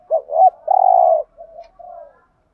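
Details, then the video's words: Spotted dove cooing used as a lure for wild doves, with two rounded, looping notes, one sustained, even coo and then two quieter sliding notes. "chim cu gáy kích bổi thúc gù/ chim cu gáy mồi bài bản [ thúc gù. gáy gọi ] bổi nghe gáy theo 100%"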